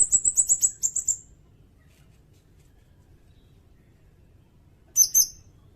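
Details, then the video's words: Sirindet, recorded as a master song for songbirds and for luring birds: a quick string of high, ticking, pulsed notes at the start, a long quiet gap, then a short sharp double chirp. "Suara burung sirindet"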